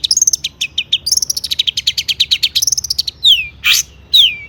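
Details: Long-tailed shrike singing a full mimicry-laden song to stir other shrikes: a fast stuttering series of high chips and short whistles, then two down-slurred whistles around a harsh rasp.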